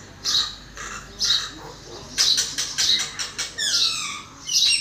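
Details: Common myna (Acridotheres tristis), calls.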